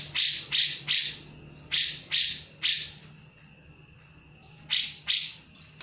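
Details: Grey-cheeked bulbul (cucak jenggot) giving emotive 'nembak' calls: loud rasping bursts in groups of three, a brief pause with a faint thin tone, then two more bursts.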